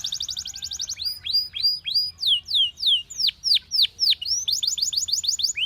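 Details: Singing canary, song meant for training other canaries: a quick high trill, then a steady series of downward-swooping whistled notes about three per second, ending in another rapid trilled roll.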